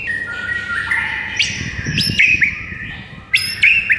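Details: White-rumped shama morning master song, meant to rouse silent shamas: layered, steady drawn-out whistles at several pitches, broken by sharp upward-flicking notes, over a low rumbling background.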